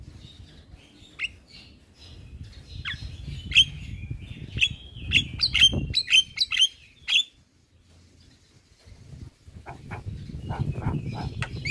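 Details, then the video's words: A male Javan myna sings to set other mynas calling: a run of sharp whistled chips and clicks, a quiet pause, then fainter notes returning over low rumble. "SuaRA Jalak Kebo Jantan Bikin Burung Jalak Yang Dengar Langsung Ikut Bunyi"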